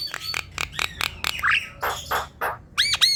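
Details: Black-winged myna sounds meant to provoke a caged myna into singing: a run of short harsh squawks and rasping bursts, ending with two bright arched whistles.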